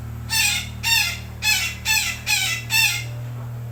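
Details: Red-breasted parakeet from Sumatra in the morning giving six loud, harsh, nasal squawks, one roughly every half second, each rasping and slightly falling, with a constant low hum in the background.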